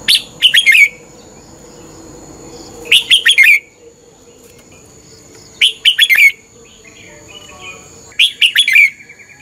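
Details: Morning fighting song of a red-whiskered bulbul used for training: four short rapid phrases of chirpy warbled notes, each about half a second long, spaced roughly every three seconds, with a faint constant background hum.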